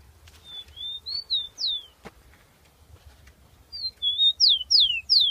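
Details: A captive rufous-collared sparrow (tico-tico), taken out for training at a keepers' meeting on 10 October 2015, sings pure, high whistles, level and rising-falling notes, then a run of sharp downslurred whistles over a low rumble.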